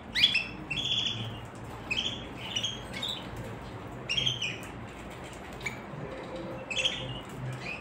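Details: Canary singing, a series of short bright chirped notes with sharp upward flicks, delivered in bursts roughly every second over a low room hum.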